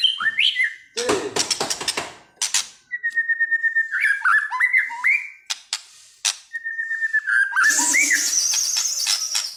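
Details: Agitated caged White-rumped shama sings clear whistled notes in steady runs and upward slides, interrupted by harsh rattling bursts, with a hissing high noise near the end.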